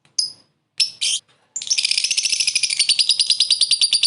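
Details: Short laughing ngekek from a lovebird calling a rival as a lure. A few isolated whistled and harsh chirps lead into a continuous fast chatter of high, rasping notes.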